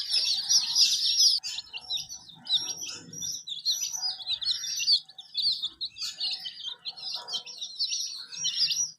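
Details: Hen with her colorful chicks: a loud, busy chorus of shrill chirps that starts dense, then breaks into many rapid overlapping peeps, with light low rustling below.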